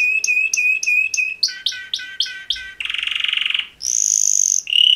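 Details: Male canaries singing mating song: a series of looping whistled notes repeated about five times, a lower repeated phrase, a buzzy rattling trill, then a sustained high whistle.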